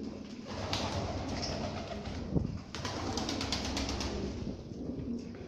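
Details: Domestic pigeons, tumbling pigeons of the Lahore breed, coo low and soft against a steady background hiss and rustle.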